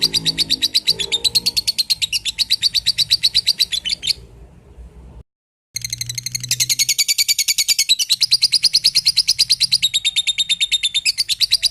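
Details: Lovebird song used as a master recording to train other birds, which are said to answer at once. A long, fast, regular chattering trill of high pulses, about three per second, is broken by a brief silent gap, with faint low background noise.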